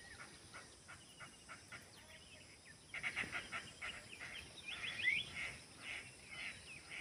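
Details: Birds chirping in a busy chatter: sparse short notes at first, then after about three seconds a louder, dense run of overlapping chirps and sharp high whistles, against a constant background hiss.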